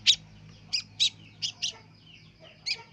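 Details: Young long-tailed shrike practising its voice, giving sparse sharp high chirps, about six notes spaced irregularly with short pauses, with a soft low hum in the background.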